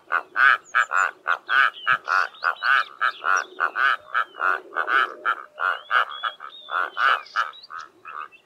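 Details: A Karoo korhaan (Eupodotis vigorsii) pair duets in the early morning on an open plain in the southern Karoo: a steady run of deep, frog-like croaks, two to three a second, with faint thin whistles from other birds.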